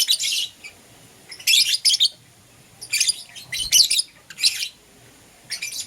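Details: Lovebirds of euwing green opaline and lutino colouring calling in the morning: harsh, high-pitched chattering bursts lasting about half a second, coming in clusters with silent pauses between, in a small quiet room.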